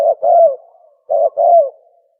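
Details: Spotted dove (tukmo) call for luring birds when hunting: two cooing phrases, each a brief first note and a longer falling coo trailing off softly, separated by a short gap.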